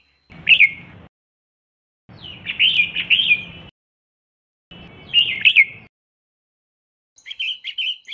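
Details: Female red-whiskered bulbul whose calls are meant to excite males into song: clustered rapid chirps in three bursts about two seconds apart, then a quieter run of quick notes at the end.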